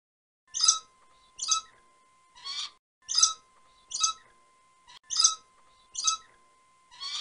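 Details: Red lory calling: harsh, rasping screeches repeated in groups of three, roughly one per second, against a steady faint electrical hum.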